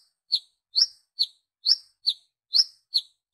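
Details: Brown-throated sunbird lure call for drawing in others of its kind: high, sharp chirps with quick downward sweeps, repeated steadily about every 0.4 seconds, alternating slightly different notes, in an otherwise quiet background.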